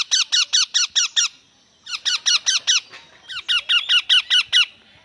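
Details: Green parrot giving rapid series of harsh, grating squawks, about six to eight evenly spaced notes per burst, three bursts separated by brief pauses, in a quiet setting.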